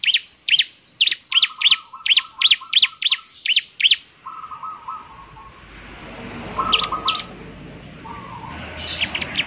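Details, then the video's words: Bar-winged prinia singing actively, with a distinctive voice said to stir other prinias to sing. A fast run of high sharp chirps comes over lower buzzy notes, then fades into background noise with a few later chirps. "ciblek semi gacor, suaranya yang KHAS bikin ciblek semi IKUT bunyi"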